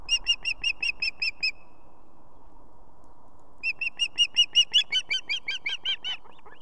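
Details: A female osprey at a nest with two chicks in Estonia, in the evening, calls the male, who soon arrives with fish; two runs of clear, high whistled chirps, about six per second, the second louder and more insistent, over a low hum.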